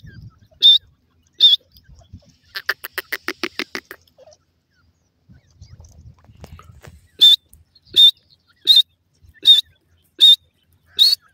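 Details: Caged male and female francolins calling together in sharp, high, clipped notes repeated about every three-quarters of a second, with a brief run of rapid harsher, lower notes early on.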